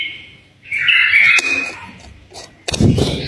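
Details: Tame bulbul, its song used to prompt other bulbuls to sing: one loud, rich warbled phrase lasting under a second, followed by quiet, then a heavy thumping knock at the end.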